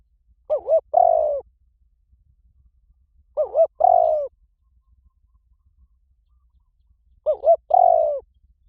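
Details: Calling spotted dove, a recording meant to excite weak decoy birds so they start calling fast. Three phrases arrive about every three and a half seconds. Each phrase has two quick curved notes and then a drawn-out, vibrating, falling coo.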